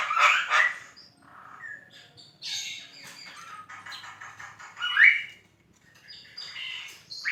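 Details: Javan myna, called jalak kebo, singing energetically in a training recording meant for other songbirds: harsh squawks and chattering bursts, buzzy rasping phrases, then a sharp rising whistle near the middle and more scratchy notes to the end.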